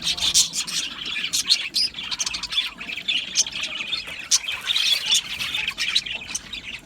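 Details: Budgie parakeets chirping and singing in an aviary colony: busy, high twittering chatter with loud bursts of squeaky chirps in clusters, overlapping warbles filling the background.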